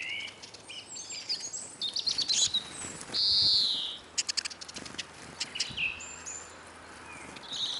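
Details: Several Eurasian siskins feeding at a garden bird table in Kolmården, Sweden: bright chirps, a loud sustained buzzy note mid-clip, then scattered high twitters amid rapid clicking.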